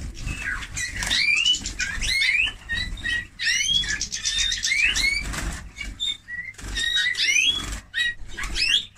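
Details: Eurasian bullfinch singing: a busy string of short chirps and upslurred whistled notes mixed with creaky twitters, delivered in dense bursts separated by brief pauses, with occasional thin high squeaks.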